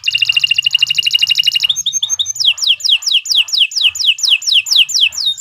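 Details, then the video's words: Canary song meant for training other birds: a fast, high trill of rapidly repeated notes, then a brief twittering break, then a series of sharp descending whistled notes repeated several times a second. "Kicau Burung Kenari II GACOR PANJANG Cocok untuk Masteran"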